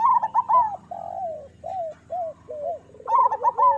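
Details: Local zebra dove master song, meant to prompt idle captive doves to start singing, with clustered trilled coos at the start and end. Between them come a series of separate rounded, arching coo notes.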